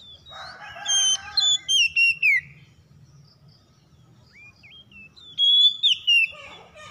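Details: Oriental magpie-robin song in two bursts of loud, varied whistles, some sliding and some slurred, separated by a few seconds of quieter rising whistled notes; faint low background hum.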